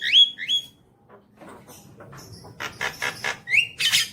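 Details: Javan myna song used as a lure to get a pet bird singing: two sharp whistled notes open the phrase, followed by a softer pause, then rapid buzzy rattling bursts and another rising whistle.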